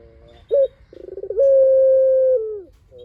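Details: Spotted dove, a lure recording: a single phrase of a quick rising coo, a rolling stuttered lead-in, and a long level hooting note that slides down at its end.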